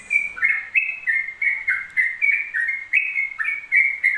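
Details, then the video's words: Rapid ropel song of a Yellow-vented bulbul: loud, steady string of whistled notes alternating higher and lower pitches, around three per second, unbroken, over a quiet background. "TRUCUK ROPEL 2 MENIT TANPA JEDA"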